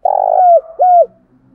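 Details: Decoy spotted dove cooing in the morning to call wild doves in: a mellow three-part coo, a long steady opening note followed by two shorter slurred notes that drop at the end, in a quiet setting.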